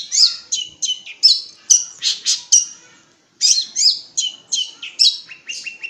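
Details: Long-tailed shrike from East Java singing a fast run of bright, chattering, high notes, varied and scratchy, in quick bursts with a short pause midway, ending in a few clearer repeated whistles.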